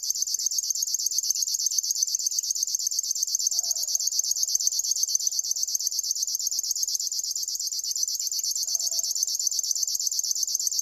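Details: Long even reel of a river warbler, quick buzzy pulses repeated steadily like a cricket's chirring, with two faint low sounds in the background.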